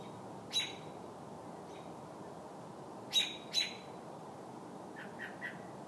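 A robin gives harsh, squealing distress cries in irregular bursts: one, then a quick pair, then two fainter notes, over a steady background hiss.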